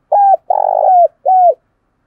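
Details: Spotted dove lure bird cooing in the morning to call in wild doves: three clear, low, hollow coos, the middle one longest, each ending with a slight downward slur, in a quiet setting.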